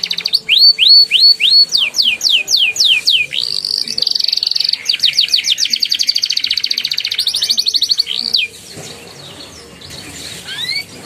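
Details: Prompting song of a canary for young birds, ngeriwik and ngeroll style: a run of rising hooked whistles and falling sweeps leads into a sustained buzzy roll, then silence and one faint rising whistle.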